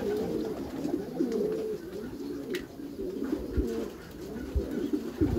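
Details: Backyard loft of Meulemans racing pigeons: several birds producing soft, rounded coos that swell and sag in pitch, rolling continuously with slight overlaps and a few sharp taps in the background.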